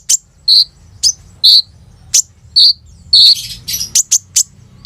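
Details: Sunbird used as a lure bird to start others singing: steady series of short, sharp high chirps about twice a second, with a brief jumbled scratchy trill midway, recorded on a phone.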